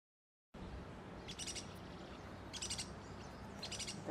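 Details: Juvenile checkered woodpecker at Reserva Ecológica Costanera Sur, Buenos Aires, 8 February 2022, calling insistently to an adult that forages to feed it. Three short, high, rapidly pulsed chattering bursts about a second apart over a low steady rumble.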